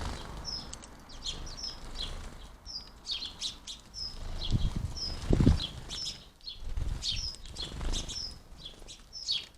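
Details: House sparrows feeding at a garden bird feeder, heard up close: short high chirps repeated about once a second, with low thuds and wing flutters from birds moving on the feeder.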